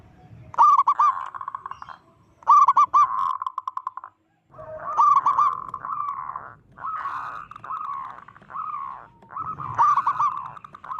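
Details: A loud-voiced local zebra dove gives its provoking call: repeated phrases that open with a quick stuttered coo, then run into buzzy pulsed trills, with short pauses between phrases and a faint low rumble underneath.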